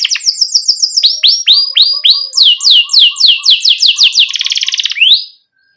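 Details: Singing canary, a tutor recording for young canaries still learning: quick high chips, then series of descending whistled sweeps about four per second, a buzzy rolling trill, and a final rising note before silence.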